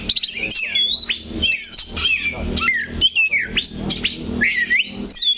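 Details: An Oriental magpie-robin stays planted on one spot of its perch stand. It sings energetic bursts of loud whistles, downslurred notes and clicking chips, repeated in short varied phrases.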